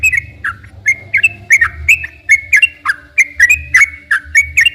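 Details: Sooty-headed bulbul giving long gacor song as a lure for untrained caged bulbuls; rapid run of whistled notes that rise, hold and drop, repeated steadily, with a low hum in the background.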